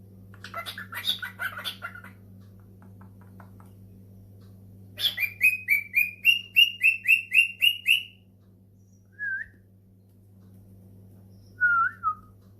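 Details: Pet cockatiel replying to a ringing phone: a fast run of about ten identical upward-flicking whistles, then two isolated wavering whistles, after an opening flurry of rough chirps, with room hum behind.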